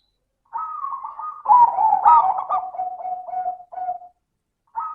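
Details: Zebra dove performing its 'crystal'-voiced song as a lure to stimulate other doves: a level whistled note gives way to rapid, stuttering coos that fade into a steady trill, with a new phrase beginning at the end.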